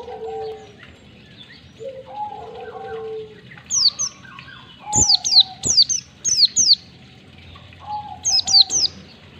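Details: Oriental white-eye ngalas song with one to two beats, recorded to train caged birds. Lower drawn-out whistles open the clip, then quick bursts of high, falling, piercing notes follow in rapid twos and threes.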